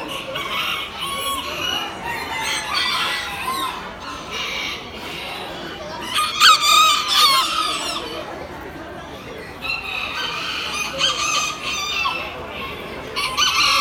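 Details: Class B retinto Aztec kikiriki bantam rooster at a poultry expo, October 2019; several raspy crows overlap through the hall noise, one clearer rising crow standing out midway, with other birds and voices around.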